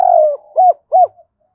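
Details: Spotted dove decoy calling in the morning, 'hai hậu đôi' style: a long falling coo followed by two short, rounded hollow coos.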